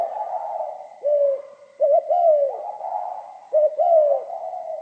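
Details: Pha kim style song of a spotted dove: low hooting coos, each phrase opening with two quick clipped notes before a longer descending coo, heard three times with a faint steady whine behind.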